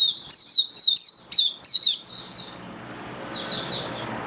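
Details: Oriental white-eye kept as a hobby bird giving buka sing display song: about five bright, descending high chirps in quick succession over two seconds, then softer trailing twitters.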